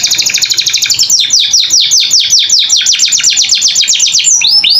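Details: Canary training song for captive young birds, energetic gacor style: rapid series of high descending whistled slurs repeating briskly, with trilled runs and a few sharp rising notes near the end.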